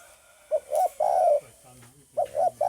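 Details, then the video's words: Spotted dove cooing, recorded 9 May 2020: short low mellow hooting notes in two quick bursts with a longer drawn coo between, then a faint low droning sound in a pause. "tiếng chim cu gáy cực hay"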